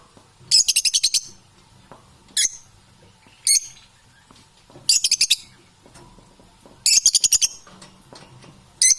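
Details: Domestic parrots giving bursts of rapid, harsh, high chattering notes in short rattling series, separated by quiet gaps with faint low background hum.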